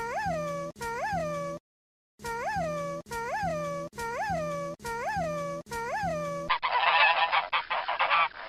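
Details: Goose honking: eight loud, nasal honks that rise and fall, each about 0.7 seconds apart with a short pause after the second, over soft background music, ending in a burst of hissing noise.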